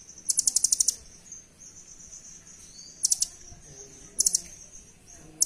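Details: Velvet-fronted nuthatch of the doraemon type, a recording recommended as master song for training birds at home: fast, very high dry rattling trills in short bursts, about four in five seconds, over a steady thin insect-like whine.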